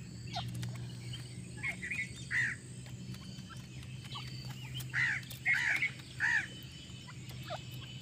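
Grey francolin giving shrill, arching notes, several in quick succession, loudest in the second half, over a steady low mechanical hum.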